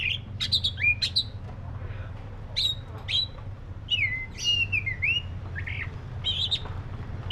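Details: Oriental magpie-robin, black-breasted form, singing varied whistled phrases: sharp high notes, slurred descending whistles and short trills in quick succession, over steady background hum.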